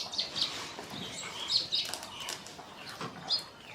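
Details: Scale-breasted munia calling in Assam, northeast India, in March 2025: short high chirps repeated irregularly, with soft fluttering and rustling sounds in between.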